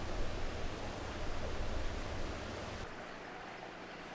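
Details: Rumbling surf-like broadband noise that drops abruptly to a quieter hiss near the end, with no animal calls.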